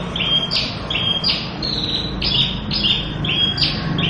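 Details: Javan bush lark, a local bird prized by songbird keepers and said to be nearly gone from the wild, sings bright clipped notes that alternate between two pitch levels about twice a second against a low hum.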